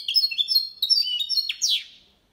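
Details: A goldfinch × canary hybrid sings a clean Malaga-version song for training other males and young birds, a quick, bright run of high twittering notes and trills ending in a rising buzzy flourish.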